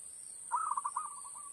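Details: Recorded zebra dove cooing used to lure birds into a trap, played on an MP3 player: a stuttering phrase of rapid coo notes that tapers into a long, soft trailing series, over a steady high tone.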